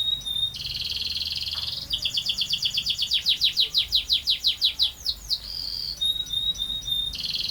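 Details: Canary pouring out a long rolling song, sustained buzzy tones giving way to a loud series of fast descending notes, then steady high trilled rolls with short whistled pauses.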